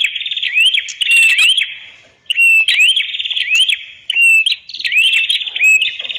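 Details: Master recording of a red-headed prenjak (prinia) for training other birds. It gives dense buzzy trills broken by bright rising whistled slurs, phrases following each other closely with one brief pause.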